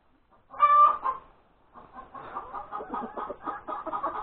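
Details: After laying her egg, a hen gives a loud drawn-out nasal squawk, then a quick run of rhythmic clucks that keeps building, recorded on a Sunday morning, January 31, 2021, around breakfast time.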